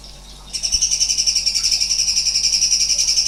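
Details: Sooty-headed bulbul (cucak cungkok) delivering strange 'nembak' rapid-fire song: after half a second of quiet, a fast, evenly pulsed high trill of ringing notes, roughly six per second, carries on without a break.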